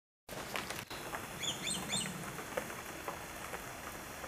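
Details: Swallow-tailed kites calling in flight, an unusually large group aloft together; a short run of thin, high whistled notes sliding downward in quick succession, over steady background hiss and a faint continuous high tone.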